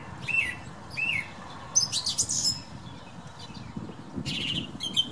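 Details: A thrush outside a bedroom window in the morning, windy weather. Two clear slurred whistles, a burst of high scratchy notes, a pause, then another rough phrase, with gusts of wind beneath.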